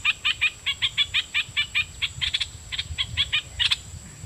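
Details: Decoy red-whiskered bulbul, a caged bird singing at wild birds: a steady string of short dry chattering notes, roughly four a second, slowing and growing uneven toward the end, over a faint continuous high hum.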